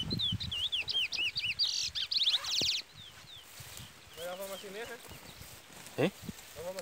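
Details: Brown-plumaged chestnut-bellied seed finch (curió), Trola song style, chick peeping nearby, as rain sets in: rapid looping whistles and a buzzy rattling trill, followed by a man talking in Portuguese over the bird.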